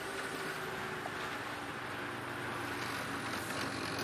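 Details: A quiet, steady vehicle engine drones on throughout, with no animal sounds.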